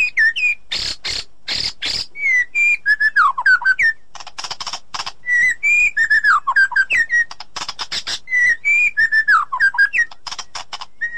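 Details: White-rumped shama song used as training therapy for a bird that has stopped singing: varied clear whistles, some falling and some warbled, alternating with harsh, noisy rattling bursts and sharp clicks.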